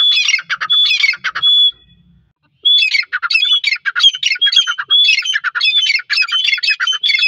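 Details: Iranian partridge calling in rapid harsh chattering bursts laced with short clear whistles, a brief silence near the middle, then the squawking series resumes steadily to the end.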